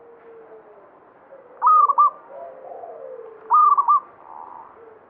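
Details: Local zebra dove of the banyumili type, singing vigorously, a bird locally believed to bring good fortune; two short rolling cooed phrases about two seconds apart, each with several quick pulsed notes, over quiet low background hum.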